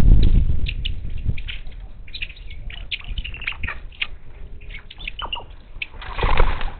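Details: Wild monk parakeets at a bird feeder near Houston, Texas, 10 March 2021; scratchy squawking chatter between low thumps and flapping noise at the start and end.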